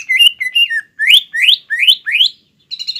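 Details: Green leafbird singing a challenging, mimicry-filled song to rile a rival; two short warbled notes followed by four loud upward-sweeping whistles, then a faint chatter.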